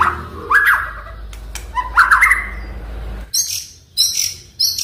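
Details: Oriental magpie-robin song meant to set a silent bird singing: lower rising whistled slurs with clicks, followed by three short high buzzy bursts.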